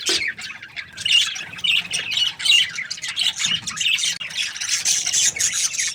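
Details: Happy budgies from a breeding pair keep up a steady scratchy chatter of squawks and thin chirps, irregularly paced and rising and falling in loudness.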